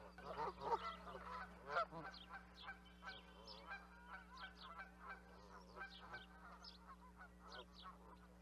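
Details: Loud burst of honks from several Canada geese at the start, then a looser run of single nasal honks about once a second, with a constant low hum underneath.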